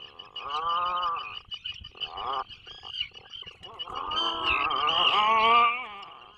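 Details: Atlantic puffins in a nesting burrow 21 miles off the Maine coast, 2024 breeding season: two long harmonic moaning groans, the second swelling and wavering, over a steady high-pitched whine.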